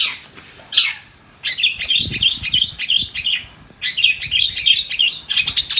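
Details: A kept long-tailed shrike is tracked to release its breeding drive and aggression. It delivers a fast, scratchy warbling chatter of high twittering notes in two long bursts, with faint low knocks and handling sounds beneath.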